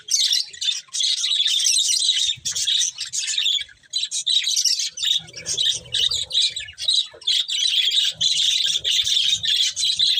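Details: Budgerigars warbling in busy bursts of chirps and squawks, with a few brief pauses and soft low rumbles in places.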